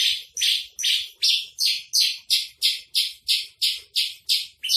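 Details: Horsfield's bush lark, a spotted 'trotol' bush lark used as a tutor song for training birds, gives a fast string of harsh, buzzy, high notes, nearly three per second, evenly spaced and steady in pitch.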